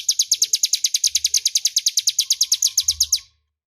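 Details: Crescent-chested warbler, a clear, loud master song for tutoring magpie-robins: a rapid, steady series of sharp, high buzzy notes, roughly eight per second, stopping abruptly near the end; soft low hum in the background.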